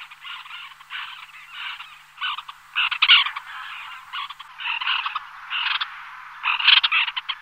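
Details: White-winged tern flock on the wing, a small group giving loud, raspy, scratchy calls in irregular clusters, some louder harsh bursts standing out from a steady chattering background.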